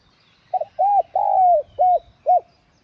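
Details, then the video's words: Spotted dove used for luring birds gives one full phrase: a short double stutter, then four mellow, rounded coos, the third longest and gently falling. "Tiếng Cu Gáy Giọng Hạp BổI Đủ Bài [GỌI + THÚC + GÙ ] kích Bổi Nhanh Nổi.Mở lên là bổi gáy.cu đất gáy"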